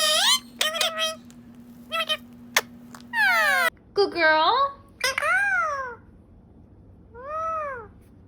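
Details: Talking pet parrot in a small room, giving a string of high, speech-like syllables with swooping rises and falls, some clipped and sharp, others longer and arched, ending in a soft rising-falling note; steady low hum underneath early on.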